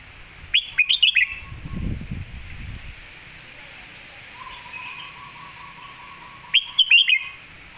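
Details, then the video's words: Red-whiskered bulbul singing a master phrase meant for tutoring birds: two bursts of quick, bright whistled notes about six seconds apart, separated by a thin steady whistle, with rustling and low background noise. "คมชัดลึก"ดอกสวยๆ สำนวนแม่บท/ไว้สอนนก"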